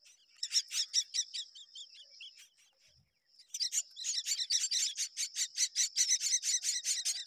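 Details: Begging myna chicks during a feeding by their mother: fast runs of buzzy, rasping high notes, a brief pause of near silence, then a louder, denser burst of repeated calls.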